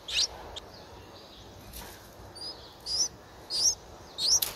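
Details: Streak-eared Bulbul chick, nine days old, in Ubon Ratchathani, Thailand, 11 April 2023. It gives sparse, bright, rising chirps, four clear notes spaced roughly a second apart, between quiet gaps with a faint high tone.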